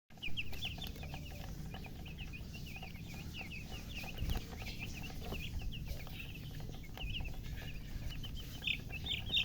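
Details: Newborn chicks chirping loudly: a dense, steady stream of short, high, arched peeps from several birds, overlapping almost continuously, over a low rumbling background hum.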